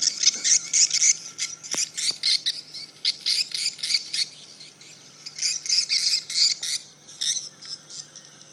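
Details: Many swiftlets reacting to a broadcast duress sound, giving loud, shrill, twittering squeaks in quick overlapping bursts, roughly three or four per second, with brief lulls, and a faint steady low hum beneath.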